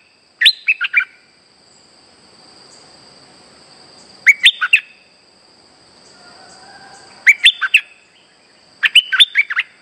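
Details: Chatty streak-eared bulbul lure song for trapping: phrases of four to six quick warbled chirps repeated roughly every three to four seconds, with a steady faint high electronic tone throughout.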